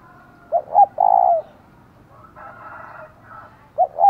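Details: Decoy spotted dove giving a resounding call meant to provoke wild doves: two short low coos, then a longer sustained coo, with a fainter harmonic sound in the middle and two more short coos at the end.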